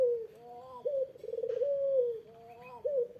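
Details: Barbary dove cooing to draw a reply from a rival: a steady, low, rolling coo with a short stressed opening note that swells, then slowly fades downward. A softer fainter coo sits between phrases.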